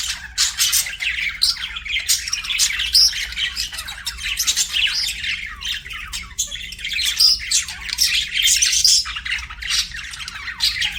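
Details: Budgies kept as pets chatter without pause: rapid, scratchy high chirps and squawky warbling, with a few short piercing whistles scattered through the stream.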